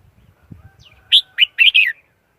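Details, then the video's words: Red-whiskered bulbul singing a quick run of four bright warbled notes, rising and falling, after soft low rustling sounds. "Tiếng chim chào mào"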